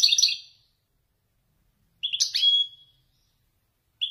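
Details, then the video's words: Goldfinch of Wedani style giving Marrakchi-style descents: a brief jingling twitter, a pause of over a second, then a sharp chirp sliding into a thin, drawn-out whistle; a last chirp begins at the end. "حسون ويداني يتفنن بالنزولات المراكشية الأصيلة"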